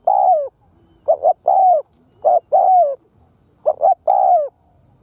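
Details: Spotted dove, a lure bird, calling to stir up wild doves: three mellow phrases, each a quick double coo followed by a drawn-out downslurred coo, spaced about a second and a half apart.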